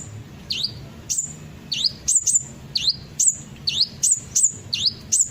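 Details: Olive-backed sunbird calls meant to prompt birds to sing along: a steady series of thin, high V-shaped chirps that dip and rise, about two per second. Faint low hum behind.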